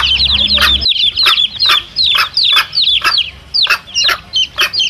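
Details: Mother hen and her chicks, played to lure wild junglefowl: many high falling peeps, overlapping and busy, with louder broad pulses repeated irregularly about every half second; a low background hum stops near the first second.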